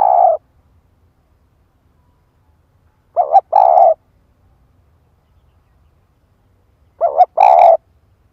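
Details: Decoy spotted dove repeating its luring call. Three phrases come roughly every 3.8 seconds, each a quick double coo followed by a longer, harsh, burred note. Very quiet background.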